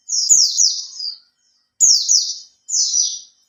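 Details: Caged Oriental white-eye, kept three months and starting to fan its tail, sings a lure song meant to set other birds singing: high, fast, descending twittered phrases, three bursts about a second long with short silences between.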